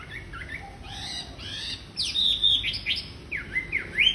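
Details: Wambi song, recorded as a lure to train other wambi birds: clear whistled notes slurring up and down, some soft and some sharp, growing louder and more frequent toward the end.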